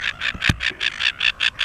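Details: A Silver Gull pair on Penguin Island off Shoalwater: quick harsh squawking notes repeated about five per second, each a short rasping burst, with a brief knock partway through.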